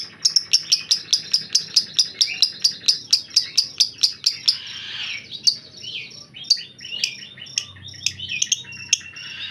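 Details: White-rumped shama master bird in a grumbling mood: about twenty sharp ticking notes in steady fast succession for four seconds, then a hissy rasp and an uneven mix of chips and slurred squeaky notes.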